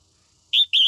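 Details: Morning singing of a female red-whiskered bulbul meant to excite males: two quick clear whistled notes, the second slightly longer and steady in pitch, in a quiet setting.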